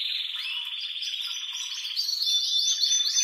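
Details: A male canary in aroused courtship song: a brief fast trill, then a run of repeated short upward-swept whistles growing louder toward the end.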